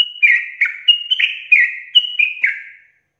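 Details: Sooty-headed bulbul in a rapid 'ropel' run of clear whistles, each note sliding downward, about three per second, trailing off into silence near the end.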